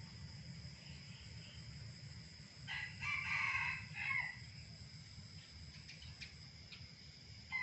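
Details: A wild red junglefowl crows in the morning: a single short, hoarse crow lasting about a second and a half, over a steady high insect whine and low background rumble.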